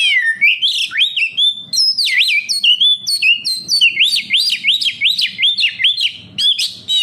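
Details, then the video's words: Oriental magpie-robin (kacer) in loud, continuous lure song for kept birds: rapid swooping whistles repeated in quick succession, rich and varied, almost without pause. "Suara burung Kacer, cocok buat Pancingan Kacer bahan agar tambah Gacor"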